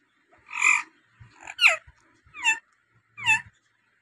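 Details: Loud harsh squawks from a native talking rose-ringed parakeet, four strong calls spaced under a second apart, some with a downward-sliding tone, in an otherwise quiet setting.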